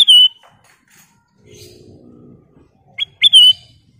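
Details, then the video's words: Loud clear whistled phrases from a Black-crested bulbul, kutilang emas, in lively song: a falling whistle at the start, then about three seconds later a sharp note and a similar whistled phrase, with soft murmuring between. "Kicau Burung Burung Kutilang Emas Gacor full isian"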